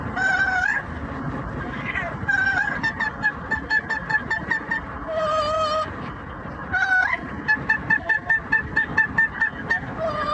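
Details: Yellow-naped amazon parrot, kept as a pet, singing opera and making noise on the commute; sliding whistles, rapid bursts of repeated notes and long vibrato tones alternate over constant engine rumble.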